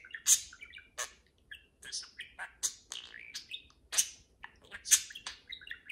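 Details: Two pet parakeets conversing and playing indoors: rapid high chirps, sharp tweets and short warbled phrases tumbling over one another with brief pauses.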